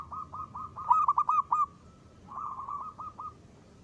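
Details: Zebra dove of a local strain used as a lure: a rapid, rolling series of pulsed, hollow coos, a louder run in the middle, a pause, then a second softer run.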